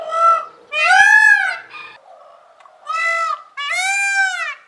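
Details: Peacock yelling loudly: four harsh, nasal, strongly harmonic screams, each arching up and down in pitch, spaced unevenly across under five seconds with quieter gaps between.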